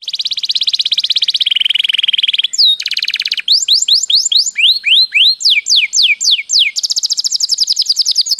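A canary sings fast, high buzzy trills, then a run of bright whistled slurs sweeping up and down about three times a second, and ends in a rolling trill.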